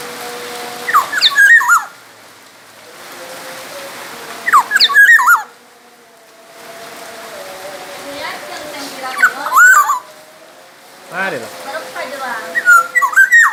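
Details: Black-naped oriole from Sumbawa, a recording meant to train other songbirds: fluty whistled phrases repeated roughly every four seconds, each a quick cluster of slurred notes, with quieter gaps of low hiss between.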